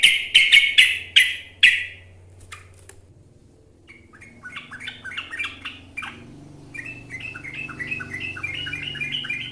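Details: Sooty-headed bulbul (trucuk) singing in the lively gacor style with long ropel runs: a few harsh, loud bursts open, then after a pause a string of short, slurred whistled notes stepping up and down, repeated rapidly.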